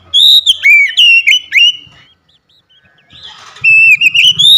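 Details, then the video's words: Caged household Oriental magpie-robin, song meant to restart a bird that went quiet: rapid series of loud slurred whistles, a short pause with soft rustling, then another bright rising whistled phrase. "Kacer rumahan macet bunyi langsung gacor"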